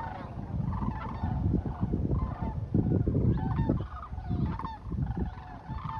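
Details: Sandhill cranes (Antigone canadensis) heading south for winter, filmed 19 January 2024, give loud rolling rattling bugles, several birds overlapping and calling repeatedly, over a heavy low rumble of wind; call.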